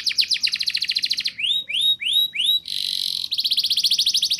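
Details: Canary song used to encourage young birds to sing: a rapid trill, four rising swooped whistles, a dense buzzy rattle, then a fast pulsing trill.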